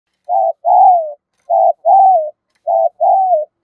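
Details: Spotted dove used as a decoy, its coo meant to draw wild doves in quickly: three paired phrases, each a short low coo followed by a longer, slightly falling coo, repeated about every one and a half seconds.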